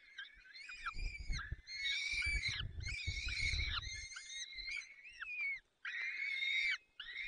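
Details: Peregrine falcon nest in the Barycz Valley on 30 April 2020 at 14:28, the male arriving with prey to feed the chicks. Drawn-out, whining harmonic calls overlap in repeated bursts about a second long, over low rumbling thumps in the first half.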